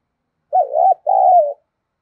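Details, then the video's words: Decoy spotted dove cooing to draw in and provoke wild doves: two loud, mellow, low hooting phrases, the first dipping and wavering, the second longer and steadier, separated by a short gap, in otherwise silent surroundings. "Chim Cu Mồi/ cu gáy thúc gù dùng kích bổi hiệu quả"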